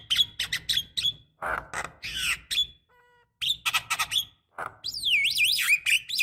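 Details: Female Javan myna calling a male to stimulate singing, with rapid harsh squawks and chatters, a short electronic-like tone, then a long wavering, swooping whistle.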